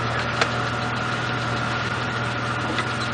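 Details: Steady engine idling with rattling and rubbing noises, and no animal calls.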